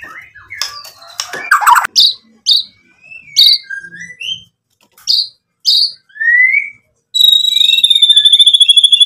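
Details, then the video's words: White-rumped shama in full song, meant to provoke rivals into answering: separate whistled notes and short rising slurs with pauses between, ending in a fast buzzy rattling trill. "MURAI BATU GACOR bikin EMOSI lawan jadi NYAUT BUNYI BONGKAR MATERI ISIAN cocok buat PANCINGAN murai"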